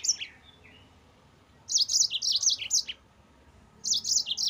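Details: Yellow-fronted canary singing continuously, used as a master recording for training cage birds: a short high chirp, a pause, then a rapid burst of sharp, high, slurred chirping notes, another pause and a second burst.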